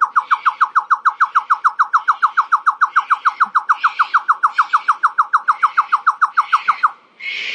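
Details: A superb lyrebird, a ground-dwelling Australian bird, gives a fast, even run of short down-slurred notes, about six per second for seven seconds, almost mechanical in tone, over soft hissy background bursts.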